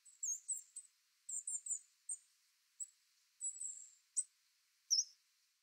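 A Coal Tit gives short, very high, thin squeaky notes, singly or in quick clusters of two or three, at irregular intervals. Otherwise quiet.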